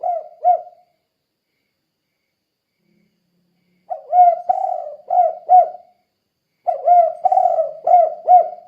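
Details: Spotted dove giving repeated 'kuk 2' lure calls to make other doves answer: a brief double coo, a long quiet gap, then two full phrases of hollow accented coos about three seconds apart.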